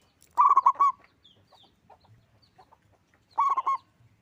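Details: Loud local zebra dove singing two rolling cooing phrases about three seconds apart. Each phrase has several quick, mellow, bubbling notes, with faint soft sounds in the quiet gap.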